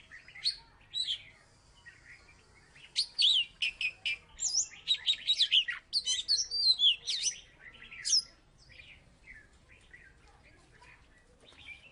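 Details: Oriental magpie-robin from Salatiga, a former third-place contest winner, in full song: varied whistled phrases, sharp chirps and rapid slurred notes mostly high-pitched, dense bursts from about three to eight seconds, quiet gaps around them.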